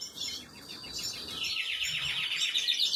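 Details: Canary young at feeding, 26 April 2022: a thin twitter swells into a dense run of high, rapid cheeps that grows louder over three seconds.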